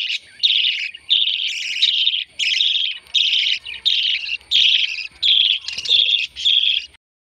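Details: Baby lovebirds being fed: bursts of harsh, buzzy, high-pitched begging calls, each lasting about half a second, repeated in a row with short gaps, loud and close.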